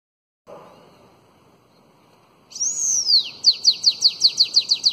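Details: Bananaquit giving the elongated Belgian song used to tutor young birds: a high sweeping whistle that rises and falls, then around nine crisp downslurred notes in quick, regular succession, over faint low hiss.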